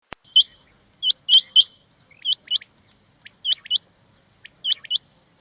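A rain quail gives sharp, high, metallic doubled notes, 'whit-whit', in pairs or triplets about every 1.2 seconds, over a quiet background.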